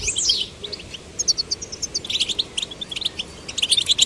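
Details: Young goldfinches, male and female, coaxed into song: scattered high chips and a brief whistled slur open, followed by sparse chirps and then a denser twittering burst at the end.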